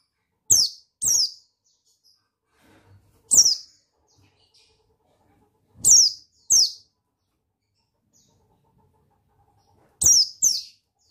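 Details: Buxtoni white-eye male, sound meant to stir a reluctant bird into song: short, piercing, downslurred chirps in loose pairs separated by long silent gaps of about two seconds.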